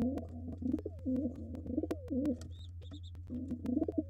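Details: Wild pigeons at a nest holding two nestlings, where a gray intruder tries to take over and the white father fights it off: low, throaty coos rise and fall in bursts roughly every second, with sharp clicks and taps of movement.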